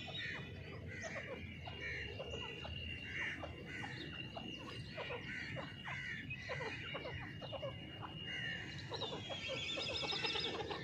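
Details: A grey francolin gives harsh, clucking call notes about every half second over a steady high whine and low background rumble.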